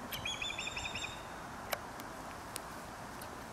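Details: Osprey near Dartmouth, Nova Scotia, during nest preparation, giving a rapid run of thin, high chirps lasting about a second, followed by faint clicks and a few soft ticks against steady background hiss.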